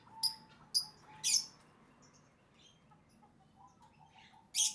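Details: Pet plaintive cuckoo at feeding time with crickets, uttering three sharp high rasping squeaks in quick succession, then a quiet gap with faint soft chirps before one final loud squeak.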